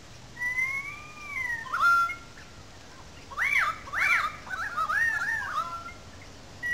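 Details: Currawongs calling loudly in a small gully above the wetlands at Sydney Park, St Peters, Sydney: a long falling whistled glide, then a run of ringing, arched whistled notes, each rising and dropping, about twice a second.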